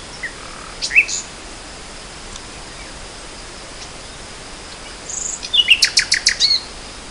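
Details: Spring 2014 nightingale song: a few scattered high notes, a long quiet gap, then a quick burst of sharp, repeated high chips at the end.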